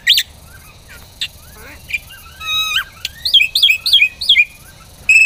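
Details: Black-winged myna in full song, used for training other songbirds: scattered sharp chirps, then a quick run of rising and falling whistled notes repeated about four times, ending in a loud clear note.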